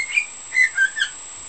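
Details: A cockatiel whistles four clear, tuneful notes in a quiet room, the first high and the later ones stepping slightly lower, part of its learned repertoire that includes a children's song, "hokekyo" and "Bibbidi-Bobbidi-Boo".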